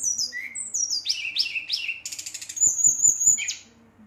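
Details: Brown-chested jungle flycatcher in full song to provoke rivals: a continuous run of high, clear descending whistles and rattling notes, ending in a long sustained high whistle, with soft low thuds and a man speaking nearby.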